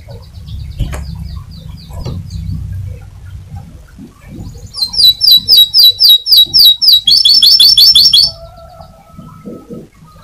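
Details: Loud champion canary singing: after faint scattered notes and low background rumble, a burst of rapid, high, sharply repeated trills rolls for about four seconds, then ends with a short thin whistle.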